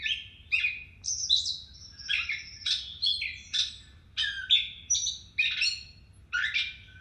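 A Gray Catbird sings a rambling run of short, varied phrases, squeaky, scratchy and mewing, roughly one burst per second, high-pitched and unpatterned over a faint low hum.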